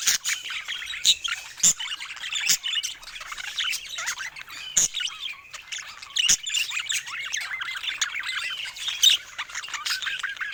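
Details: Pet budgerigars chattering: a continuous high warbling stream of squeaks and chirps, broken by sharp clicking taps every second or so.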